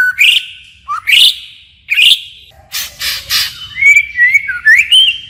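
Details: Varied forest-style song of a white-rumped shama, changing phrases again and again; loud upswept whistles separated by pauses, a burst of harsh rasping notes, then a warbling run of whistles.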